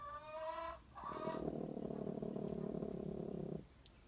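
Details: Two hens that will sit on one egg together, growling: a short higher cluck-like sound, then a long, steady, low rasping growl lasting over two seconds.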